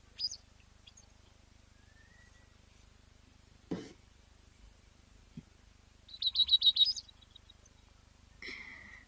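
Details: Cape wagtail at an African waterhole, 19 August 2024: thin high chips and a quick twittering trill of about eight notes, ending in a lower slurred call; a single knock sounds midway.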